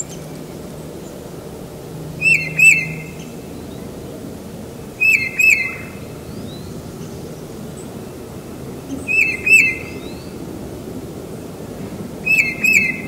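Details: Spring song of a tufted titmouse visiting a house: short whistled phrases of two notes each, repeated about every three to four seconds, bright and clear over a quiet background.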